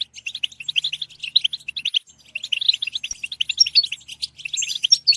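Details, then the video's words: European goldfinch singing in a program meant to encourage singing: a fast stream of bright, clipped chirps and twitters, pausing briefly midway, then resuming with sharper whistled notes near the end. "Comprehensive guide to stimulating and singing the goldfinch"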